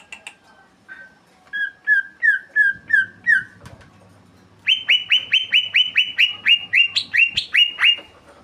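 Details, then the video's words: Greater green leafbird in full, rolling song: first a row of clear mid-pitched whistled notes, then after a brief pause a rapid, higher series of ringing downslurred notes, evenly repeated several times per second. "cucakijo gacor ngeroll"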